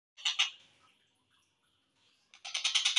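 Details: Collared kingfisher, played at slowed speed as a master recording for training other songbirds: two loud harsh grating notes, a quiet pause, then a fast run of rasping repeated notes.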